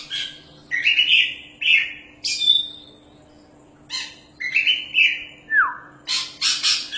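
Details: Oriental magpie-robin, a champion bird in full song: drawn-out clear whistles held steady, a sharply falling slurred note, and closing bursts of harsh, noisy rasps; a faint low hum runs throughout.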